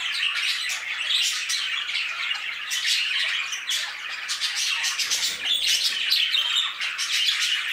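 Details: Aviary full of budgerigars calling together: continuous high twittering and scratchy squawks layered over one another, with sharp clicking notes and a short dip in volume midway.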